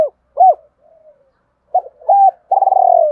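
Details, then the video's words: Spotted dove decoy calling in double voice to provoke wild doves: low arched coos separated by a soft murmur, then a level hoot leading into a long, pulsing, slowly falling purr. "Tiếng chim cu mồi gáy gọi giọng đôi cực hay, tiếng chim cu gáy kích bổi mới"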